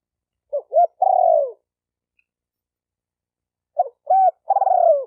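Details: Spotted dove cooing to stimulate decoy, male and female birds: two phrases about three seconds apart, each a short coo, an arched coo, then a long rolling, falling coo, clean with no other sounds.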